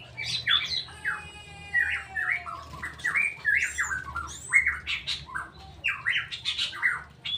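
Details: Kept straw-headed bulbul pouring out a loud, rich song of rapid liquid and slurred notes in crowded bursts, phrases tumbling one after another with hardly a pause, over a low steady hum.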